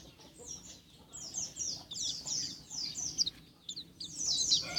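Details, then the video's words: Soft, distant-sounding high twittering from a contest-champion pleci, the Oriental white-eye, in jetboy style, with rapid chirps building in phrases that grow louder toward the end. "Burung pleci(jetboy) yudistira juara punya"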